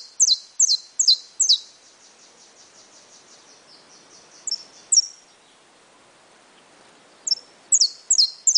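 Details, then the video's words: Saffron finch, a brown (pardo) bird, singing bursts of high, sharp downward-sweeping chips in quick runs, pausing, then resuming with a few more clipped notes. "CANÁRIO DA TERRA PARDO"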